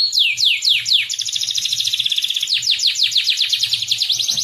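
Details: Masteran training song mixing cucak jenggot, cililin and canary: rapid high trills and downward-sweeping whistled notes, run together in fast rolling phrases with short bursts of dense chatter.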